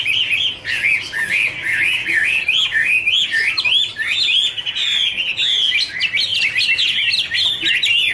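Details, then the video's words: Wonderful warble from a Chinese hwamei duet with dancing and wing-flicking: fast, looping whistled notes in a continuous chain, rising and falling, ending in rapid repeated sharp up-slurs. "Birds Garrulax canorus singing: dancing, duet fin wings, wonderful warble songs"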